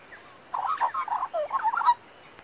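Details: A young female Australian magpie in a garden sings next to a person resting there, a rich, gurgling warble of quick looping notes lasting about one and a half seconds, with quiet speech nearby.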